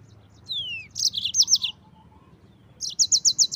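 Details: Yellow-fronted canary's tutor song for white-eyes opens with a falling whistle, then a quick high warbled phrase, a pause, and a regular run of about five sharp repeated notes.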